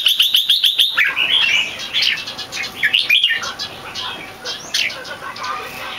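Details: Red-whiskered bulbul kept as a competition bird, not yet in full form, with a big head physique, singing a loud, clear, long Keke. A fast burst of about eight sharp repeated notes opens, then bright warbled and slurred phrases follow with short pauses.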